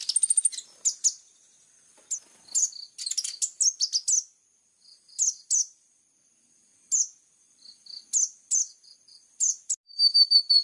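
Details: Plain-throated sunbird singing actively in a sharp 'full tembakan' style, clear-voiced, used as a tutor recording: scattered high thin chirps and brief trills separated by short pauses, with a thin steady whistle near the end.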